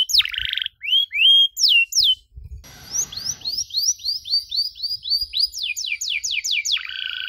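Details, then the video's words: Canary song with long bursts and ornate phrasing, for young canaries to learn from: buzzy notes and sharp swept whistles, a stretch of low scratchy noise, then a series of evenly repeated rising whistles. "KENARI GACOR DORR NEMBAK PANJANG, CENGKOK MEWAH COCOK BUAT KENARI MUDA BELAJAR BUNYI"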